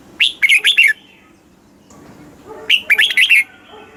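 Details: Thai caged-bird red-whiskered bulbul song, southern master style, played to rouse caged birds and train young ones; a pair of rapid phrases of four or five bubbling, downward-slurred whistles, about two and a half seconds apart, light background noise.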